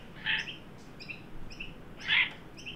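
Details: Australian magpie, adult with juvenile, at a new garden birdbath in Sydney on 9 December 2023 during a 43° Celsius heat wave; two loud, harsh, noisy bursts about two seconds apart over faint, high repeated chirps from other birds.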